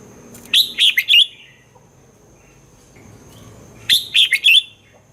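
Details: Song of a caged red-whiskered bulbul meant to get other birds excited: two phrases of four fast, clear warbled notes roughly three seconds apart, high and ringing over quiet background.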